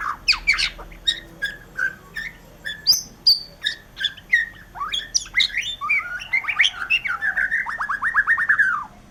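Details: White-rumped shama song: spaced clear whistles and chips, some high and pure, building into a fast rattling trill of rapid repeated notes near the end.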